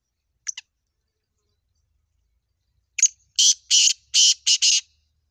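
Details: Black francolin giving a call in the style known as 'double awaz' (double call): two short high notes, a long pause, then a sharp note followed by five harsh, grating, buzzy bursts in quick succession. No other sounds.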